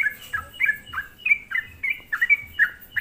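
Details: Short burst of sooty-headed bulbul lure song used to anger other bulbuls, quick bubbly notes dropping in pitch, about three per second.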